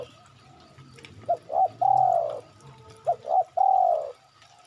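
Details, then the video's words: Spotted dove coo used as a calling lure: a soft faint coo, then a clipped note, a short rising note and a long loud falling coo, the sequence repeated once more. "pancingan suara burung derkuku"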